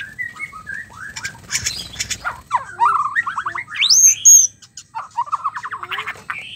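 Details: Mating White-rumped shama, played to make males sing: mixed chattering phrases, a burst of rattling notes, then a loud, high, clear whistle and further scratchy warbling.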